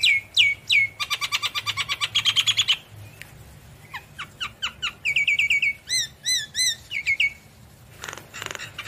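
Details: Javan myna in full chattering song, used to provoke silent mynas into answering: rapid repeated high chirps, a dense buzzy rattle, then spaced downslurred whistles and a string of looping, repeated whistled notes.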